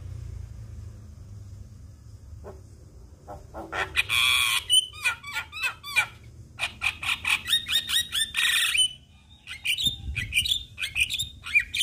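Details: Javan myna song meant to trigger other mynas to sing: after a quiet start, bursts of harsh rasping notes alternate with rapid upslurred whistles and clicks, a short pause, then more squeaky chatter.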